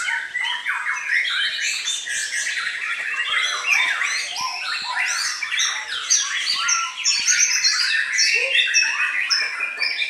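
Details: White-rumped shama singing a dense, continuous stream of varied whistles, slurred notes and short chirps, rising and falling across a wide high range with hardly a pause.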